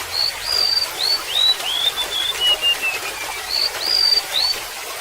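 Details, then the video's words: Golden-bellied gerygone with trickling water behind: a falling chain of pure, slurred whistles, then a brief pause and a new phrase beginning with bright, high notes. "SUARA BURUNG REMETUK LAUT"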